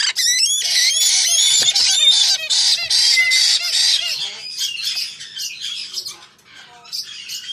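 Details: White-bellied parrot calling: a dense, almost continuous run of harsh, shrill screeches and squawks with short, sharp chirping notes mixed in. The calls overlap heavily, then thin out and grow quieter near the end.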